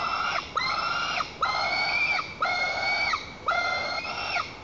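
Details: White-tailed eaglet in its nest in Lower Kama National Park, Tatarstan, July 2023, throwing a tantrum and defending the nest from its mother perched on a branch: five loud harsh harmonic screams, each about a second long, repeated with short gaps.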